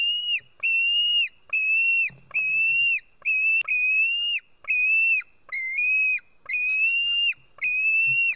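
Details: Young White-tailed eagle in an Estonian nest, 4 July 2018 around 1 pm, screaming as an adult feeds it fish; a steady run of nine shrill, sustained whistled screams, each ending in a brief downward slur, spaced under a second apart.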